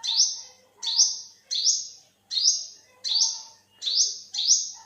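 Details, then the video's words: Olive-backed sunbird, also called yellow-bellied sunbird, giving loud, high, sharp notes that sweep upward, each followed by a soft lower tone, repeated roughly every 0.7 seconds in a steady series. "เสียงนกกินปลีอกเหลือง Olive-backed sunbird, Yellow-bellied sunbird"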